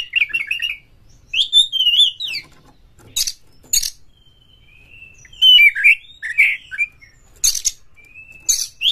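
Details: White-rumped shama kept as a cage bird, singing to provoke other shamas: warbled whistled runs, two sharp rasping bursts, a long drawn steady whistle, then looping slurred notes.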